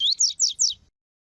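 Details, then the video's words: Double-collared seedeater, tui tui song style, used with female calls to stimulate males: four quick high whistled strokes, the first rising and the rest sliding downward, under a second. "CANTO DO COLEIRO TUI TUI PERFEITO COM PIADO DE FÊMEA DE COLEIRO PARA ESQUENTAR COLEIRO TUI TUI"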